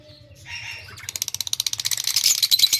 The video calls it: LOVE BIRDS SINGING AND CHIRPING SOUND